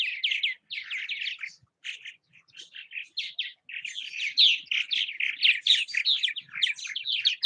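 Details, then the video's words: Several purple martins at their houses in Southwest Missouri chatter continuously: bubbly, throaty chirps and rolling gurgles repeated in quick bursts, growing busier toward the end. "Purple Martin activity at bird houses."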